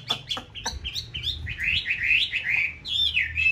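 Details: Breeding-season white Chinese hwamei in an aviary kept for conservation in a mountain town: a few sharp opening chips, then a sequence of rich, rolling whistled notes swinging up and down, each repeated about twice per second.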